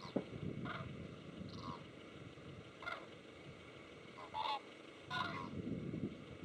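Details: Cranes in Israel in March 2012, giving distant trumpeting calls in short bursts, several spaced about a second or more apart, faint above a steady broad background rumble.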